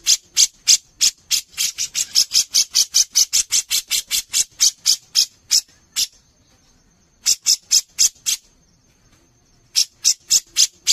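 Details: Cucak jenggot, or grey-cheeked bulbul, in full song for training contest birds. Rasping chattery notes fire in rapid runs of about a dozen, break off for a second, then resume, with a faint continuous high whine behind.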